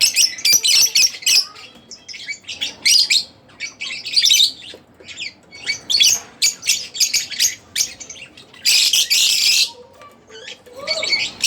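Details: Split blue Fischer's lovebirds chatter in rapid bursts of shrill, high chirps and harsh squeaks, with brief pauses and one longer rasping screech near the end.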